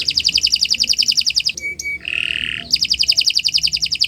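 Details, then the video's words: Canary singing for other birds to learn from: rapid high trill, brief thin whistled notes and a buzzy rasp, then the fast trill returns. "Kicau Burung Kenari 179 II LUAR BIASA GACOR PANJANG Cocok untuk Masteran"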